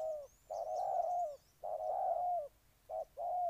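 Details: Spotted dove from Ninh Thuận, Vietnam, giving low mellow coos in a short-long pattern: a brief note, then drawn-out hooting phrases with pauses between. Faint thin whistles from another bird sound high above.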